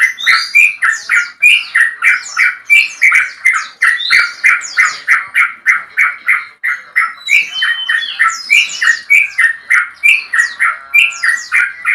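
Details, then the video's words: Male Sooty-headed Bulbul (trucukan) with a long song calling a rival pours out a long, bubbly run of mellow notes, about three per second, with sharper high chirps woven through. "BURUNG TRUCUKAN JANTAN ROPEL PANJANG MEMANGGIL LAWAN"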